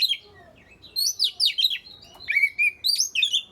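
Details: White-rumped shama song used to prompt lazy shamas into singing: rich whistled phrases with sliding, warbling notes and quick high chips, delivered in short bursts separated by brief pauses.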